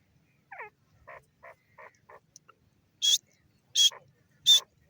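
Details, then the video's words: Female grey francolin (dakhni teetar): a series of soft, lower clucking notes, then three loud, sharp, high calls spaced under a second apart. "female dakhni teeter ki awaaz,teeter bird sound"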